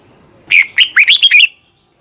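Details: Single fast song phrase from a Red-whiskered bulbul in Thailand: a chain of about six liquid, bouncing whistles lasting around one second, with nothing else audible.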